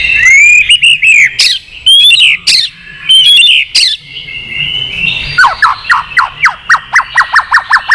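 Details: A mature wild-caught white-rumped shama, roused to fight-singing with continual tail flicks: rich whistled phrases and sharp notes, then a fast run of about a dozen evenly spaced falling chips.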